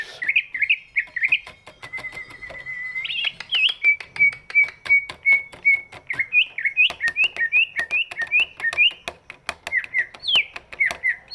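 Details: Large-bodied greater green leafbird whose voice is used to coax reluctant birds into singing; a busy chattering song of wavering whistled notes, a long steady whistle near two seconds, then quick looping phrases, with sharp ticking clicks throughout.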